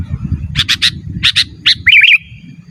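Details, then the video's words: Sooty-headed bulbul in full voice, a pure recording for calling wild birds: a fast triple chirp, a pair, a single note, then a liquid bubbling warble over low rumbling background. "Suara Burung KUTILANG GACOR Asli Tanpa ISIAN 100% Ampun Untuk Suara Panggilan dan Masteran"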